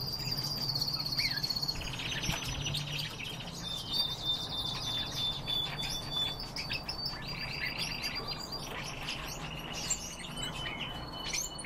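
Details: Captive red crossbills giving many short chirping calls at irregular intervals, mixed with fast buzzy trills and a few sustained thin whistled tones, over a steady low background hum.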